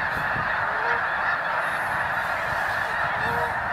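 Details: Snow geese in a dense flock heading north in spring, landing on melting ice after a sudden warm-up: a continuous wall of nasal, overlapping honks and yelps with no break.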